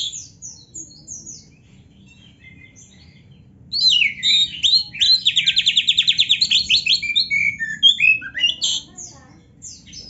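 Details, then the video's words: Kacer, the white-rumped shama, in a training recording meant for captive birds: soft scattered high notes at first, then a loud rapid trill of repeated notes followed by varied whistles and sharp upslurred phrases. "KACER GACOR MASTERAN KACER ISIAN MEWAH"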